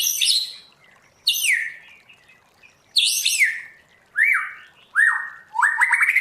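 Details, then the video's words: White-rumped shama singing in trained wild-style voice: sweeping high descending phrases with pauses, ending in shorter clear whistles rising and falling. "Luyện choè lửa hót theo giọng rừng hay"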